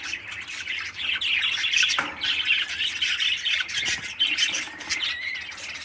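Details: A 13-day-old parakeet chick in captivity, cared for by a breeder bird, gives continuous grating chatter. A short thump sounds near the two-second mark, and the calls are steady with a few louder peaks.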